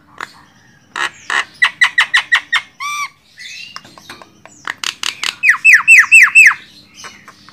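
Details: Javan myna (jalak kebo) song as a training master for songbirds: rapid clicking squawk bursts, a nasal harmonic note, then a tight series of descending whistled squawks.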